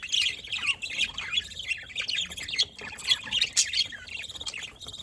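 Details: Budgerigars on 27 October 2023, their steady, rambling warble of high chirps and buzzy twitters running without a break.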